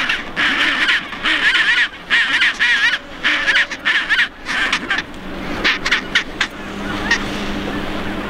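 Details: Chinstrap penguins in their colony on Half Moon Island, South Shetland Islands, near Antarctica: loud, harsh, braying calls in pulsing bursts with wavering notes, several birds overlapping, over a steady low rumble of wind.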